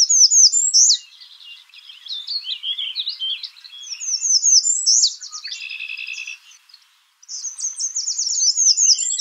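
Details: American redstart calling: bursts of thin, high, sharply downslurred notes delivered in quick runs, with a buzzier stuttered phrase in the middle and brief pauses between series; no other clear sounds.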